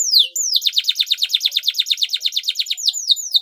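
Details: Canary singing to stir other canaries into song: a rapid, evenly repeated series of sharp downward-slurred chirps, about a dozen per second-and-a-half, bracketed by higher whistled sweeps.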